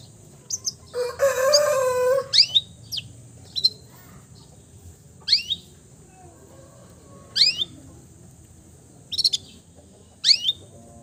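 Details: Long-tailed shrike singing a full mimicry repertoire, copying the voices of many bird species: sparse, sharp, high downslurred whistled notes spaced about a second or two apart, with a louder harsh, broad burst near the start.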